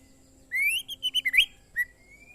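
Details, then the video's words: Oriental magpie-robin, short song phrase: a clear rising whistle sliding upward, then a quick series of four or five brief warbled notes, followed by a lone short whistle; quiet background. "suara burung murai"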